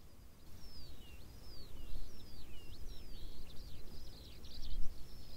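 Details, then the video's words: Skylark singing over open moorland: a continuous high, fast stream of twittering, slurred whistles and trills, rising and falling without pause, over a steady low wind rumble. "the beautiful song of a skylark fills the air"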